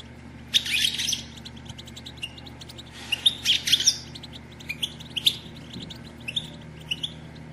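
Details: Batbata from a female European goldfinch, meant to stimulate male singing and mating: two short bursts of hurried high twittering separated by quiet, then scattered single chirps over a low hum.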